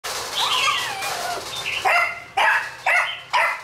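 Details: Red-whiskered bulbul, wild-caught and caged for 12 days, singing at a decoy bird: slurred, wavering whistled phrases that glide up and down, then four short, loud, clipped bursts of notes spaced about half a second apart.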